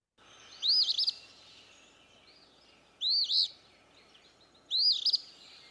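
Eastern Phoebe giving three raspy, burry 'fee-bee' phrases, about two seconds apart, over a steady low background hiss.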